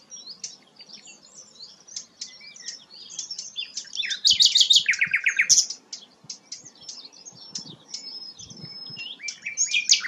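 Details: Melodious sikatan londo flycatcher song: continuous soft high chirping and twitters, rising to a short loud burst of dense buzzy notes and a lower slurred phrase near the middle, then more scattered tweets.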